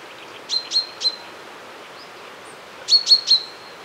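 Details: Common chaffinch giving two quick runs of three short, bright, high-pitched call notes, the runs about two seconds apart, against soft outdoor background noise. Recorded with a Zoom F1 and Sennheiser MKE 600 microphone.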